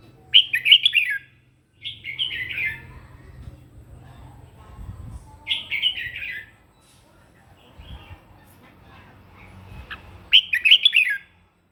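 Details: Red-whiskered bulbul giving its morning fighting song, used for voice training: short warbled, bubbly phrases at a fairly high pitch, four bursts spaced irregularly over about eleven seconds, with quiet gaps and a faint low hum between.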